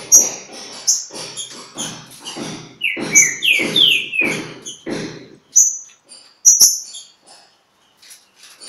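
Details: Green-winged saltator singing at Pedra Azul, disputing with a free-living bird: a run of rich, downward-slurred whistles in the middle, among sharp high chips and soft noisy bursts, fading to scattered chips.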